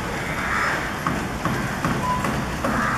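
Coppersmith barbet giving a steady series of soft, hollow 'tuk' notes about two or three each second, over a constant background hum.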